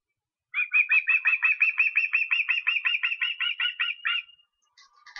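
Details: After half a second of quiet, an osprey in Estonia on 23 August produces about twenty evenly spaced whistled notes over four seconds, fading slightly toward the end, followed by faint other sounds.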